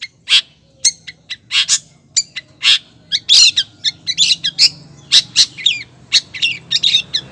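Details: A female long-tailed shrike calling to the male in a fast, busy series of harsh chips, scratchy notes and twisting whistles, nearly continuous and loud throughout, with a faint low hum.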